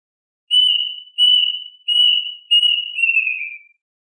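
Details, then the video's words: A plaintive cuckoo gives four clear, high whistled notes in quick succession, steady at first and then sliding lower at the end; nothing else is heard. "Tiếng hót chim Tìm vịt ( Gọi vịt)- Chim Gọi Vịt gọi đàn"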